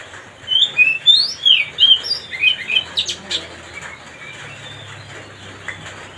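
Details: Kacer song, from the Oriental magpie-robin, used to goad another bird: about two seconds of quick, sweet whistled notes fading into faint scattered chirps and background hiss.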